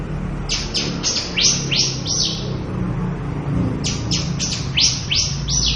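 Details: Local Javan bush lark, a bird said to be vanishing from the wild, delivering its full repertoire: two bursts of rapid, sharply down-sweeping chirps separated by a short quiet gap, over steady low background noise.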